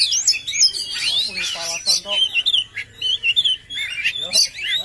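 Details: Oriental magpie-robin singing a rich, fast-changing medley of bright whistled notes, chattering runs and brief harsh notes, delivered with little pause.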